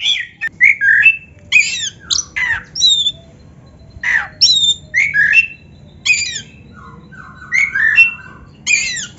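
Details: Caged Oriental magpie-robin song used as therapy to rouse silent birds: separate bursts of loud squawky, slurred and whistled phrases, each about half a second long, coming every second or so with short quiet gaps.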